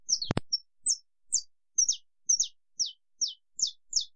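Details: Saffron finch sings a long song, an even series of high, sharp downslurred notes, roughly two per second, with one loud click ("estalo") near the start.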